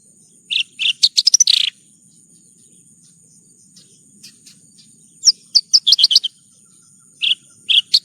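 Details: Lark song as training material for kept songbirds, given in bursts of rapid high chirps and short buzzy trills, with sweeping notes between quiet pauses and a faint steady low hum.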